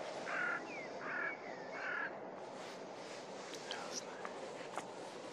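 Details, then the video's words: Snow goose recorded at Starene bird station in 2023: three loud nasal honks in quick succession over the first two seconds, then quieter, fainter calls over a steady broadband background hiss. "SNØGÅS ( ANSER CAERULESCENS)"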